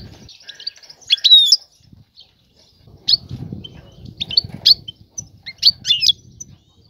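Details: European goldfinch female calling to draw and stimulate a male to mate; separated bursts of sharp, high twittering chirps with short pauses between, over soft low thumping background noise.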